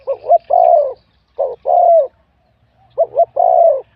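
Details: Spotted dove, wild-caught competition singer with a medium-to-large voice, point 87: three strong cooing phrases about 1.5 seconds apart, each a quick double note followed by a long husky coo that dips at the end.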